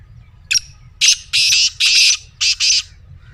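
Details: Black francolin call meant to get a pet francolin calling: a short sharp opening note, then a rhythmic phrase of harsh, rasping, buzzy notes, the final two clipped and paired.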